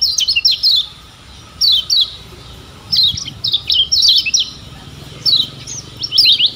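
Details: Yellow kecial of Lombok, a lemon-bellied white-eye, in a tutor recording meant to get birds singing: clustered high, thin chirping phrases of fast slurred notes, coming in bursts roughly every second or two over faint background hiss.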